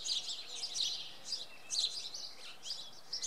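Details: Dawn song of a common redstart at Oksywie on a Monday; high, rapid chirping phrases in short bursts, separated by brief quiet gaps over light background noise.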